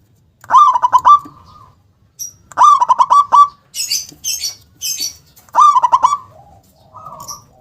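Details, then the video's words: Local zebra dove in full song, big loud voice with a strong, abrupt 'kung' ending: three phrases of rapid, rolling staccato coos, each about a second long, spaced roughly two seconds apart, with high chirps from other birds between them. "perkutut lokal gacor suara besar nyentak KUNG power kencang"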